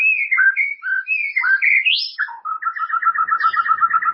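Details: White-rumped shama song used as a master training recording for caged birds: a varied run of clear whistled phrases sweeping between low and high, ending in a fast rapid trill of repeated notes.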